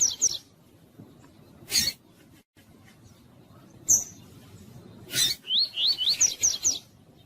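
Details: Pure tui tui song of a Double-collared seedeater, played to excite other males into singing. Brief high notes and sharp clicks come first, then a fast run of rising, slurred whistles near the end.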